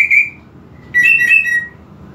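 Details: Brief greater green leafbird provocation song for a bird lacking aggression: the tail of a high ringing trill, a short gap, then a bright two-part whistle slurring downward.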